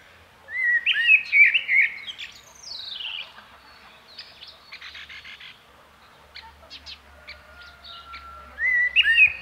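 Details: Common blackbird delivering a rich, fluting warble. After a pause with softer, scattered chirps, another loud warbled phrase begins at the end.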